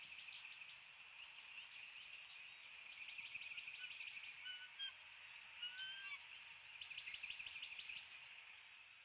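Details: Bald eagles on a live-cam nest in northeast Florida at 7:04 am, 29 February 2020, when a fish still alive is delivered: bursts of rapid, high chittering notes, roughly three per second, with a few thin whistles between, over steady background hiss.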